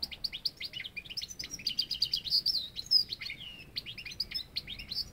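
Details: European goldfinch song: a fast, tinkling twitter of short high chirps and trills, with a few bright slurred notes in the middle, delivered almost without pause.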